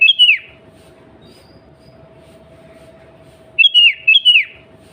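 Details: Female sooty-headed bulbul calling for a male, a lure to trigger bulbul song: a single slurred whistled phrase falling in pitch, a long quiet stretch with steady hum, then two more similar phrases in close succession.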